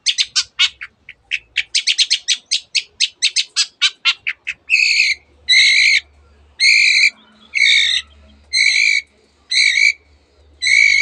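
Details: Long-tailed shrike in full song, mimicking canary and many other birds; a rapid rattle of clicking notes gives way to harsh, drawn-out, nasal calls repeated about once a second over a low hum.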